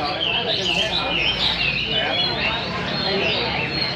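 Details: Caged, mature wild-caught hwamei (Chinese hwamei) singing and dancing in a rack singing competition; a dense chorus of rich whistled phrases and trills overlaps from several birds, with a low hum beneath.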